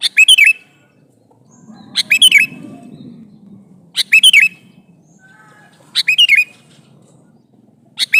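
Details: Male sooty-headed bulbul calling to a female: short bubbly, warbled whistle phrases in quick bursts, repeated about every two seconds, five bursts in all, with a soft low rumble between the second and third.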